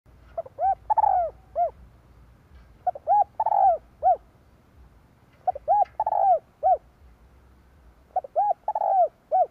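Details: Captive decoy spotted dove cooing to lure and provoke wild doves, recorded 2023: four phrases roughly every 2.7 seconds, each of soft short notes, a long drawn falling coo, then a final note. A faint low hum underneath.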